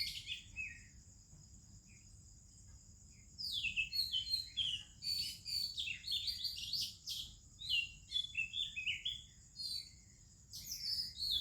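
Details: Morning singing of an Oriental magpie-robin with other birds, India: after a short pause, a long run of varied whistled and twittering phrases, trailing off then resuming, over a faint continuous high drone.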